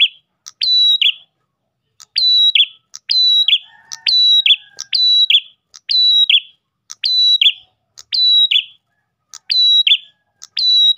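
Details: An Ash tailorbird sings to draw in other tailorbirds, repeating the same phrase about once a second: a sharp note, a flat piercing whistle and a buzzy tail, with a faint low tone near the middle.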